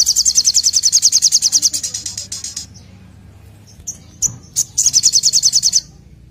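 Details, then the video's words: Olive-backed sunbird 'nembak' song opening with a long, fast, high trill of even pulses that slowly weakens. A few sharp single chirps follow, then another second-long rapid trill. "SOGOKONTONG (SOGON) Gacor Nembak"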